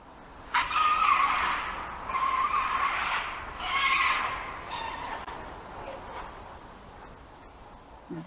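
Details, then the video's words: Great Blue Heron at the March Point heronry, Skagit County, extremely disturbed, perhaps by eagles, gives three harsh, raspy screams of about a second each, a sound sometimes followed by herons flushing from nests. "here are the screaming sounds of an extremely disturbed heron"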